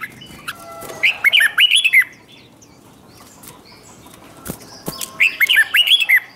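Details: Red-whiskered bulbul being provoked to sing competitively: two bright phrases of quick bubbling, slurred notes separated by a pause of background noise and a couple of sharp clicks.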